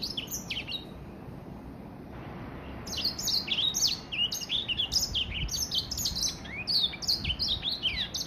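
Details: Gray Finch crossed with Lemon Breasted, a hybrid aged three months, singing its first full song: a short opening phrase of high chirps, a brief gap, then a dense run of quick, sharply slurred notes.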